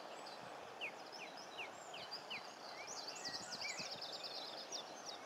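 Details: Common linnets at the coast in Cornwall; a series of short rising chirps, then a faster run of twittering notes, over steady wind and surf noise.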